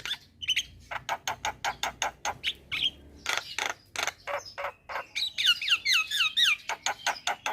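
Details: Javan myna in full song: steady, rapid clicking and rasping notes repeated about four times a second, broken by a burst of high, descending squeaky whistles.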